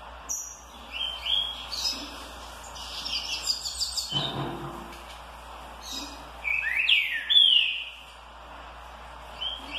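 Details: Green-winged saltator singing a smooth "curricurril" warm-up song of loud, clear whistled phrases with sweeping notes, mixed with high, rapid chirps and buzzy trills from "tui tui" song-type seedeaters.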